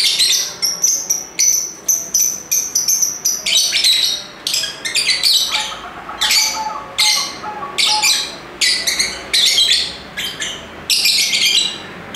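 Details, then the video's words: Lively lovebird chirping over twelve seconds: a steady stream of short, piercing squawks and clipped chirps, some with a whistled edge, repeated quickly and unevenly, loud and insistent throughout. "Ramai Kicauan Lovebird (Lovebirds Sounds)"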